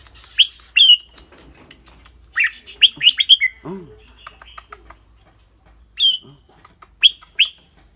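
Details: Clear-voiced red-whiskered bulbul in a cage, singing and chattering: spaced bright whistled notes and a fast run of four loud warbles, with a man's low hum in the middle.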